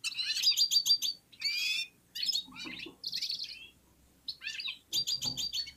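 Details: Red-fronted serins warming up and singing in unison among other birds: bursts of high, bright twittering and buzzy chirps, separated by short pauses, with varied jingling phrases and brief silent gaps between them.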